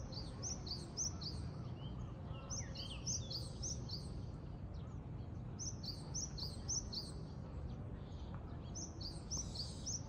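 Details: A Japanese tit in Japan gives bursts of short, high, sharp notes in quick clusters every second or so, over a steady low rumble of background noise.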